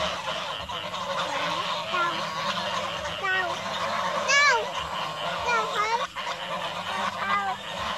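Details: Geese honk in the evening in short, nasal, bending calls, several birds overlapping every second or so over a steady murmur of more distant flock calls.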